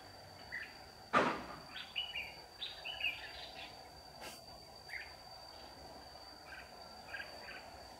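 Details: Red-whiskered bulbul decoy, white-cheeked, singing at a trap on 15 July 2019 to draw in wild birds: a loud knock is followed by a run of quick chirpy, warbling notes over two seconds, then scattered softer chirps amid constant hiss.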